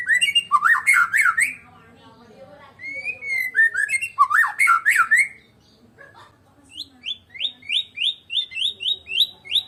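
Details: Song of a Medan white-rumped shama with no rival, alternating loud rich warbles and slurred whistles, ending in a fast series of about a dozen high, rising, repeated notes.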